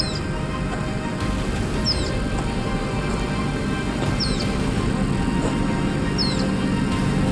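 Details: Social flycatcher calling loudly at dusk around 5:55 in the beach town of Nosara, Guanacaste, Costa Rica, the 75th species of a big day: sharp, high, downslurred notes repeated about every two seconds over a dense, steady background drone.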